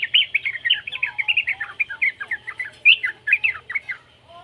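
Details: Young yellow-vented bulbul chattering, its sound meant to set other bulbuls singing: a continuous stream of quick, sharp chirps, a few louder peaks near the end, then fading out.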